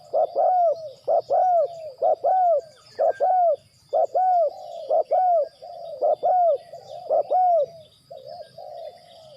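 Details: Decoy spotted dove kept for bird trapping, calling steadily: paired low coos, a short clipped note then a drawn-out descending croon, repeated about once a second, with a faint high hiss in the background.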